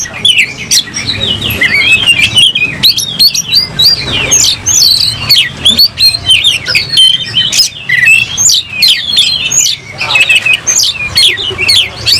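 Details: Fighting-mood oriental magpie-robin spreading its tail while singing a rich, rapid mix of rising and falling whistles and chirps, interspersed with sharp clicks and a low background hum.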